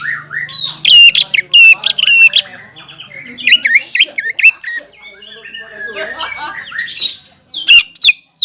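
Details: Greater green leafbird singing vigorously to rile rival leafbirds: bright whistled notes in quick succession over a low steady hum, a quieter jumbled warble in the middle, then renewed loud whistles with sharp clicks.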